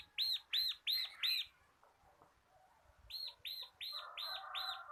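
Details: Caged local crystal bar-winged prinia singing for tutoring other birds: four ringing arched chips at even spacing, a short lull, then five more in steady rhythm over a faint buzzy background warble.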